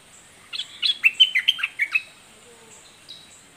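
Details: Doubled, fierce-style song from a southern 'dok taeng' red-whiskered bulbul: a quick burst of around ten chirpy whistled notes, followed by a couple of faint thin whistles and quiet.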